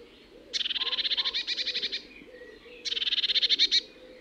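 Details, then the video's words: Eurasian blue tit gives two bursts of a rapid, buzzy churring call, each about a second long, over a faint low hum. "Eurasian blue tit sounds"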